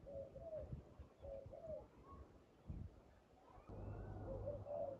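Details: Wild spotted dove calling during trapping with a decoy: low, soft coos in short phrases, repeated a few times, followed by rumbling noise and a steady low hum.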